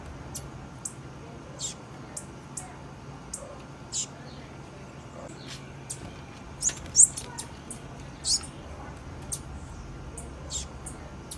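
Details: Female blue-black grassquit calling: short, thin, very high chirps given singly at irregular intervals, roughly every one to two seconds, over a quiet steady background hum.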